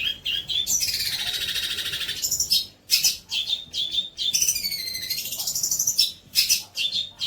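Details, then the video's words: Long-tailed shrike song for training young shrikes: long buzzy, rapid high trills alternating with sharp whistled notes and short rattles, delivered in varied bursts with brief pauses. "INI BARU MATERI MEWAH BOLO BUAT MASTERAN TROTOL KAMU"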